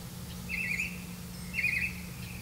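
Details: Black-bellied malkoha tending young in the nest, giving two brief chattering bursts of mid-high notes about one second apart, with a constant low hum underneath.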